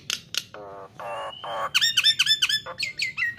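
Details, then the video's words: A caged Nias hill myna gives a rapid run of varied notes: harsh squawks, nasal honks and loud, sharp whistles that sweep down, about two a second. "Jalak Nias GACOOOR"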